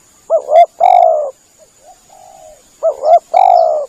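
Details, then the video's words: Lure call of a spotted dove for dove hunting. Two loud phrases of a doubled short coo and a long smooth coo, with softer, more distant cooing between them. "Bunyi pikat burung tekukur"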